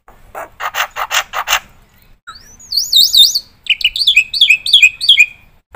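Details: Black-winged myna in varied full song for prompting and tutoring: a few harsh rasps, then a rising whistle, looping warbled whistles and a string of descending slurred notes.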